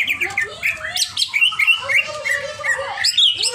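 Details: Greater green leafbird, a caged songster, singing agitatedly: a dense jumble of slurred whistles, sweeping mid-pitched notes and sharp high chips with no pause, steady low hum underneath.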